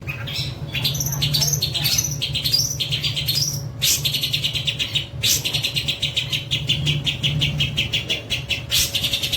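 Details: Long-tailed shrike, a captive-bred bird, pouring out a dense, continuous chatter of rapid repeated high notes and scratchy trills with varied mimicked phrases, over a constant low hum and background rumble.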